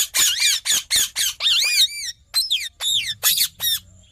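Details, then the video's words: Green parrot calling in rapid, harsh squawks and wavering screeches, roughly four calls per second at first, then looser bursts of bent, buzzy notes with a faint low hum behind. "Mithu Ki Awaj"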